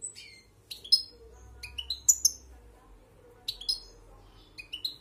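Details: A wild European goldfinch held in the hand sings bright, tinkling bursts of twittering notes, about five short phrases with brief pauses between them.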